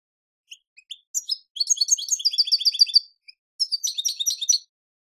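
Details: European goldfinch song from a Pepe Reyes recording: a few scattered high chips, then fast tinkling twittered phrases in two bursts separated by a short pause.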